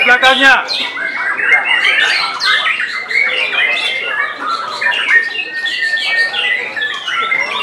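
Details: Contest white-rumped shama in the top class at a Semarang, Central Java singing event, 3 July 2022, opening with a loud descending trill, then a dense stream of chirps, whistles and chatter lasting throughout.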